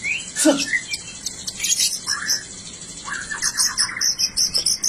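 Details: Rare blorok-type white-rumped shama singing; a loud downward-swooping whistle opens a varied run of slurred phrases, then quick repeated high chips and buzzy trills toward the end.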